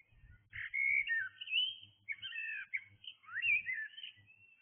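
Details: Blackbird singing in the early hours of the morning: mellow fluting warbled phrases with rising and falling whistles and a few scratchy notes, separated by short pauses, over a faint low rumble.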